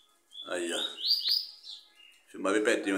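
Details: A captive green-winged saltator gives a short phrase of loud, clear, slurred whistles, rising and falling, between bursts of a man talking; finding: Green-winged saltator song.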